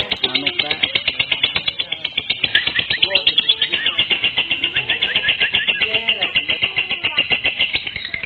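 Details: Lovebird luring call aimed at other lovebirds: long, intense stream of high-pitched, rapidly pulsed chattering, about four pulses a second, steady across the whole stretch.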